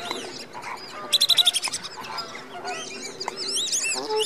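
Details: Greater flamingo flock at Slimbridge in January 2016, active before bedtime: a dense chorus of overlapping nasal, honking calls, with a quick series of about eight clipped, rhythmic notes near the middle and rising, twisting cries toward the end.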